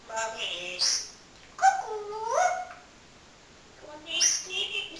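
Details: A pet parrot chatters indoors in speech-like phrases: layered harmonic syllables, a rising then falling tone, and high whistled squeaks, in three bursts across a few seconds.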